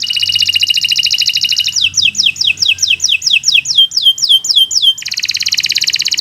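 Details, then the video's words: Canary delivering long, continuous song used as a tutor for other birds: dense fast trill, then rhythmic downward-swooping whistles about three per second, closing with another rapid trill. "Kicau Burung Kenari 173 II LUAR BIASA GACOR PANJANG"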